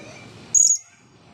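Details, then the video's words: Blue-crowned hanging parrot after drying off from its bath, agitated in front of the camera: one sharp, very high squeaky note lasting about a quarter second over low background hum. "burung serindit jiwa kacau depan camera"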